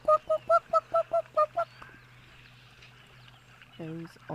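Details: Yellow-billed hornbills calling in the background, November 7, 2022: a rapid series of eight hollow, clucking notes, about seven per second, then a lower nasal burst near the end; faint background hum.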